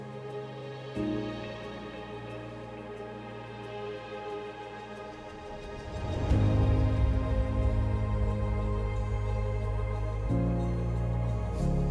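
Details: Soft, slow instrumental music with sustained low tones and no animal voices.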